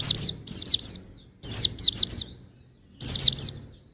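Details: Short phrases from a young white-eye: clusters of three bright, high, tumbling chirps separated by pauses of about a second.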